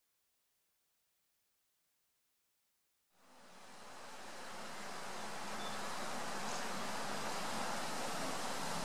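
Three seconds of silence give way to a steady, swelling rush of broadband noise like flowing water or wind, with no animal voice.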